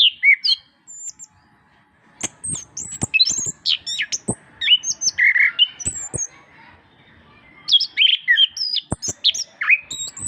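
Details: Orange-headed thrush, known locally as anis kembang, in a master recording meant to stimulate reluctant birds to sing: varied rapid whistled and chattering phrases, sharp upslurs and downslurs, bursts separated by short pauses.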